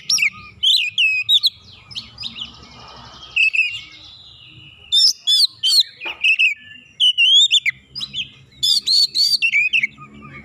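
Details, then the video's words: White-rumped shama, a rival bird heated up by one provocation, singing a long varied sequence of loud whistles, sharp chips, slurred phrases and buzzy rattles in rapid bursts with short gaps. "KACER LAWAN LANGSUNG PANAS NAIK EMOSI BONGKAR ISIAN SEKALI PANCING"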